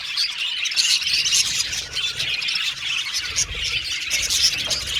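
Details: Colourful pet Australian budgies whistling and chattering together, a busy flock-like stream of high, scratchy chirps and occasional sharper squawk-like notes running without pause.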